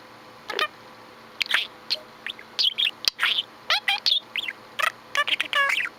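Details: Pet budgerigar sitting and chirping: a steady stream of short, sharp chirps and bent warbled notes, some buzzy, arriving in quick irregular bursts.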